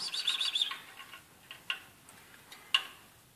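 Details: A female European greenfinch, described as aggressive, gives a quick burst of harsh, twittering notes, then three or four single sharp chips spaced about a second apart.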